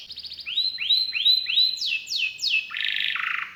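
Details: Canary singing actively in an ornate local style prized by keepers, called cengkok istimewa with isian mewah. Rapid trills are followed by a run of upswept whistled notes, then buzzy descending rolls, all high-pitched and clear.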